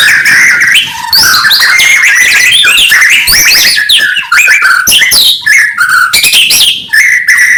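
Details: White-rumped shama singing in the morning, used to provoke rival birds: loud, rich, fast-changing whistled phrases that jump between low and very high notes, with slurred and buzzy elements in quick succession and only brief pauses.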